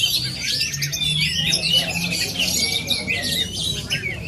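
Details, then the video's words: Aceh oriental magpie-robin delivering rapid high twittering and whistled notes, with a long sliding whistle near the middle and a soft low drone in the background. "Aksi kacer asli aceh"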